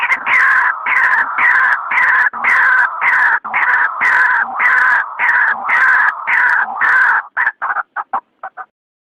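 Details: Night calls of white-breasted waterhen, used as a lure. Loud, raucous, rasping phrases pulse in a rolling rhythm for about seven seconds, then break into a quick series of short separate croaks that fade out.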